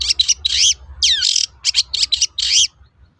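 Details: Brief burst of long-tailed shrike song meant to lure other shrikes into replying: scratchy chattering notes, one long descending whistle, then clipped harsh chirps before falling quiet.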